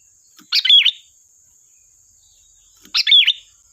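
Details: Lively sooty-headed bulbul song for luring: two matching short phrases of quick, bubbling, whistled notes about two and a half seconds apart, with a thin steady high tone behind.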